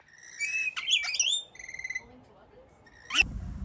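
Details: Wild rainbow lorikeets chattering on a balcony in Melbourne, Australia, 2024: shrill, wavering squeals and a burst of rapid buzzy notes, then a pause and one sharp final screech with a dull thump.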